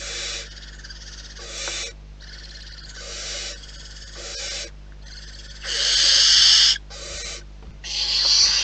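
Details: At the nest, barn owls give a series of breathy, hissing screeches of about half a second each, growing louder toward the end, where two long, intense hisses stand out.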